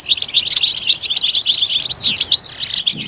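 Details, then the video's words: A European goldfinch delivers fast, bright chirps and liquid twitters, with a sweeping rising-falling note near the end of the loud, rapid phrase. "Stimulating a goldfinch clip to make it chirp in a loud and wonderful voice"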